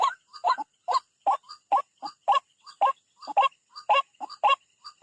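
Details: White-breasted waterhen attacking a rival at a bird trap, giving grating croaks mixed with short rising squeaky notes in an uneven, rapid pattern.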